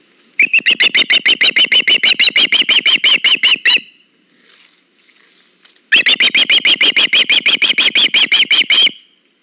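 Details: Osprey calling at a nest watched by a live camera, August 21, 2019, while a fish is delivered: two loud bursts of rapid, piercing whistled chirps, roughly three per second, separated by a brief quiet pause.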